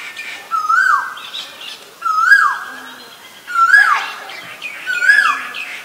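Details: Asian koel: four loud, ringing calls, each rising steeply and then dropping, spaced about one and a half seconds apart in a steady series, over a quiet background.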